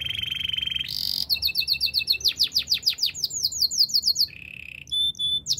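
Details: Canary song meant for training other canaries, opening with a buzzy tone, then rapid repeated chopped notes and sweeping whistles, a low buzz, and a final high whistle.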